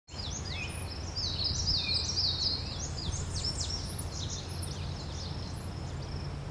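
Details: Male indigo bunting giving his territory song while doing a little dance on a branch: thin, high, quick chirping and slurred notes over a steady, loud background hiss.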